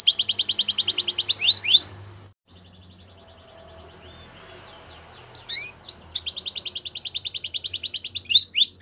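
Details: Belgian canary training song: a high buzzy trill and a few upswept notes, then roughly three seconds of near silence with faint chirps, before the rapid rolling trill and rising whistles resume.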